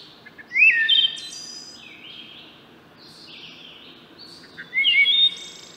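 Two flute-like Wood Thrush phrases, each sliding through clear notes before a high, shimmering trill, about four seconds apart over a soft steady hiss.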